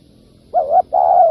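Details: Single low coo phrase from a spotted dove used for lure trapping: a wavering hoot followed by a longer even note.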